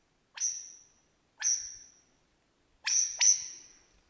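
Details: Wild Superb lyrebird in Australian bushland mimicking other birds, delivering a series of bright, high whip-like whistles that ring and fade, the last two overlapping in a quick double, against near silence.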